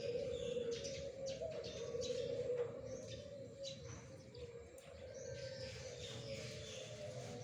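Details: Morning song of zebra doves recorded 1 April 2021: rapid, low, rolling coos pulsing several times a second, overlapping into a continuous murmur, with scattered thin chirps of other birds above.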